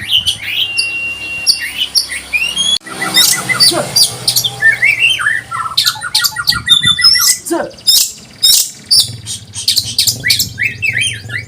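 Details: Oriental magpie-robin in konslet style, said to excite other birds: a busy jumble of chirps, rattling note series and slurred whistles, with a low hum underneath and a brief break early on.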